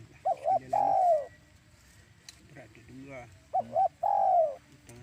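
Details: Trapping lure of a spotted dove: two phrases of double short notes plus a long falling coo, with fainter lower calls and a brief murmur in the gap between.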